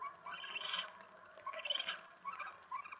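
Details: Eastern screech owl male in a hideout on a February 2017 night, chittering after a scolding from his mate over her mouse; three or four brief, bright, scratchy chatter bursts with quiet gaps between them.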